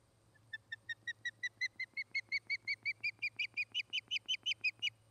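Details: Osprey at its nest in Charlo, Montana, on August 29, 2018, mid-afternoon: a long run of clear, whistled chirps that starts soft and speeds up, growing louder and higher, about 25 notes in five seconds over a low steady hum.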